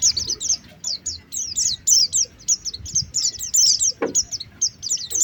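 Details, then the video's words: Oriental white-eye calls for luring birds to come down. Short bursts of high, sharp chirps and twitters repeat with small gaps between them. One dull knock is heard near the end. "Suara pikat pleci | pikat pleci terbaru 2023 | langsung turun"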